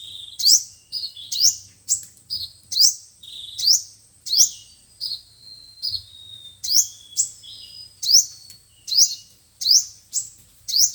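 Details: Loudspeaker lure of five-colour and seven-colour sunbird song for trapping: continuous stream of high rising zips and short twittering phrases, over a dozen bursts, occasional thin sustained whistles, faint low hum beneath.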